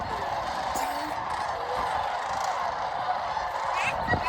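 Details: Sandhill cranes massed at Jasper-Pulaski Fish & Wildlife Area, Medaryville, Indiana, on November 22, 2023; a constant chorus of rattling trumpet calls, with a few clearer single calls near the start and near the end.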